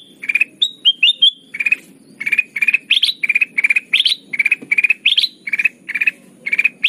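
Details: Kutilang emas, the ruby-throated bulbul, in lively lure song for bird trapping. It opens with a few slurred whistles, then pours out rapid rattling bursts of three to five sharp notes almost every half second, with a soft low hum behind.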